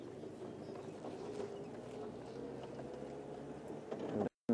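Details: Low engine rumble and muffled background chatter, with no animal calls standing out.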